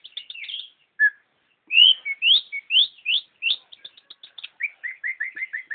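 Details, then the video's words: Long-tailed shrike song mixing quick chattering notes, upslurred whistles and a closing series of rapid, evenly repeated short downslurred notes. "Burung pentet Super nggacor"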